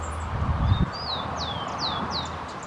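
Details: Urban Rufous-collared Sparrow in Lídice singing a series of thin, high, down-slurred whistles about twice a second, over a low rumble of wind or handling noise.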